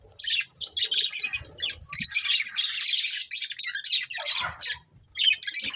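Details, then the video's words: A caged breeding pair of budgerigars chattering: dense, scratchy high chirps and warbles in rapid overlapping bursts, with short pauses near four and five seconds. "Cute Budgies Chirping Sounds"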